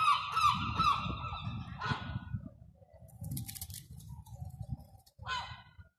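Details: Gulls begging for food on Terminus Road in central Eastbourne, East Sussex, UK, during lockdown: a few harsh, ringing cries at the start, then isolated calls after pauses, with low street noise beneath.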